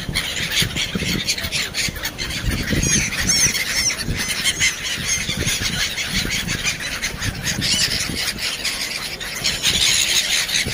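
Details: Black-headed gulls in Sharjah: a flock gives a dense, steady chorus of harsh, high, squealing cries that overlap throughout, with a low rumble of background noise.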